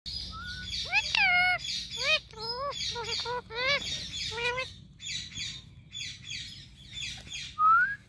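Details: Pet Indian ringneck parakeet chattering nonstop: a fast run of harmonic, speech-like syllables with rising and falling inflections, broken by buzzy phrases, ending on a loud upward-swooping whistle.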